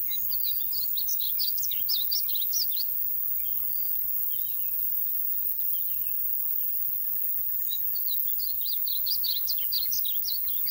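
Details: A Painted Bunting sings in Royse City, Texas, on 8 June 2020: two bright, high warbled phrases of quick jumbled notes, each about two to three seconds long, over a steady background hiss.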